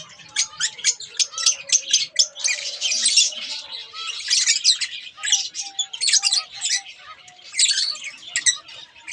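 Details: Two pet budgerigars keep up a steady warbling chatter: rapid high chirps and scratchy twitters in dense bursts, with short whistled notes woven between them.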